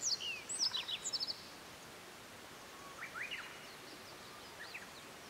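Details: Japanese yellow bunting in mountain forest at Matsunoyama Onsen, Japan, delivering a quick burst of high, clear, descending whistled notes, followed by quieter distant phrases and faint chirps from other birds.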